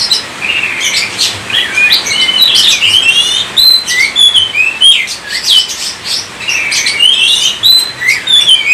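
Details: Continuous high song of an Oriental magpie-robin kept in Indonesia, mixing clear slurred whistles, rising sweeps and harsh twittering bursts at an uneven pace, with a soft steady hum beneath.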